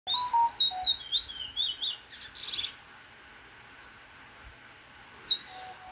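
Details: Cage-bred Trinidad bullfinch, almost out of moult, recorded 16 September 2024, giving a rapid run of high sweet slurred and twittering notes for about two seconds, then near silence broken by one sharp high note.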